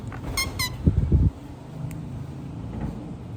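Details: Rose-ringed (ringneck) parakeet giving two quick, sharp, slightly falling squawks close together, then low thumping and a steady background rumble.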